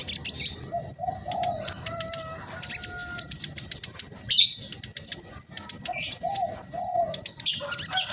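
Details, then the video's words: Black sunbird whose fast, tight chattering song is used to coax other birds into singing: rapid high ticks and scratchy trills in bursts, mixed with short lower whistled notes. "Blacksunbird trotol gacor prospex cocok buat pancingan burung macet malas bunyi"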